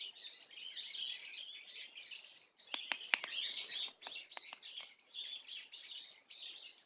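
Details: Swallow calls from 30 April 2024: soft, continuous high twittering and chirps, interrupted midway by several sharp clicks or knocks before the chatter carries on.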